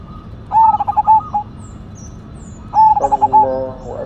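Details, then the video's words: Zebra dove of the cemani majapahit type, a strong, frequent singer with a big voice. It gives two bursts of rapid, pulsed cooing notes, each lasting about a second, separated by a pause. Faint high chirps from other birds sound in between. "PERKUTUT CEMANI MAJAPAHIT GACOR SUARA BESAR"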